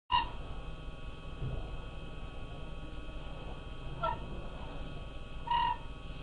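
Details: Siberian cranes at night in the Oka Biosphere Reserve give three brief, high, flute-like calls, spaced a few seconds apart, over a steady low rumble.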